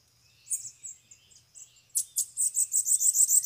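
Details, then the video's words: A free bananaquit comes to a caged bird during a trapping session. A few thin high notes lead into a loud, rapid, very high buzzy trill of evenly pulsed notes that grows stronger toward the end. "canpeada de sibite chegou varios sibite solto na gaiola"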